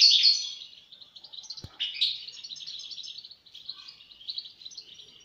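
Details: European goldfinch giving a loud twittering burst, then a long run of quick, liquid chirps and trills at moderate volume, with a single soft knock midway.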